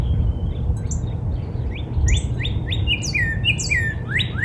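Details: Northern cardinal in a backyard during spring, giving whistled notes that build into repeated upslurs and falling slurs, mixed with high chirps of other small birds and steady low noise.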